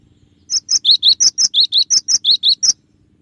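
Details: Gelatik batu, the cinereous tit, in a clear 'tembakan' song variation used as a training recording: an unbroken string of about a dozen bright, high whistled notes alternating between two pitches, roughly four per second.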